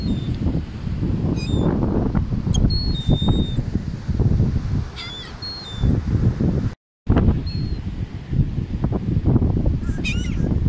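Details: Gulls circling above a person feeding them on an Atlantic City beach, New Jersey: repeated short high mewing cries, some drawn out and wavering, set against heavy low wind and surf noise.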